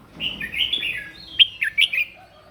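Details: A red-whiskered bulbul sings its morning fighting song in voice training: a flowing string of bright whistled notes that ends in a few loud, sharp, bouncy notes.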